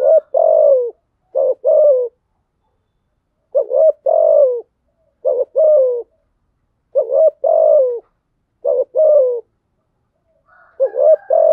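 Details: Lure spotted dove cooing to stimulate rivals: steady series of paired phrases, each a quick clipped note then a drawn-out falling coo, repeated about eighteen times a minute over a silent background.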